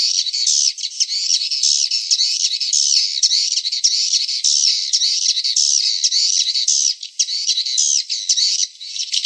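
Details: Swiftlet call track meant to attract swiftlets to nesting houses: a continuous, thick twittering of many overlapping high, wavering notes, with a few brief dips in loudness near the end.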